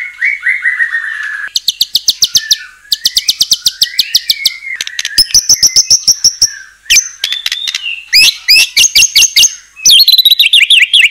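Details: Energetic white-rumped shama song meant to goad other shamas into answering: a falling whistle, then long bursts of rapid rattling notes alternating with sweeping whistled phrases, nearly continuous over eleven seconds.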